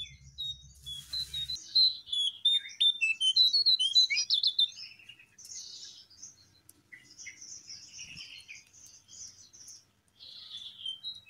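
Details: Jongkangan babbler, also called Cingcoang coklat, in the wild, uttering quick bursts of high chirps for several seconds. Softer twittering follows, with a short noisy burst near the start.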